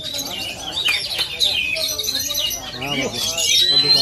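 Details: An oriental magpie-robin native to Aceh sings quick, repeated high notes and a long thin rising whistle near the end, with human speech running beneath.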